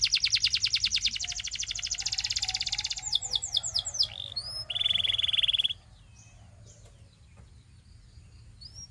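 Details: Canary with a long, dense, buzzy trill, a few sliding whistles and a short piercing steady trill before the song stops, leaving faint soft notes.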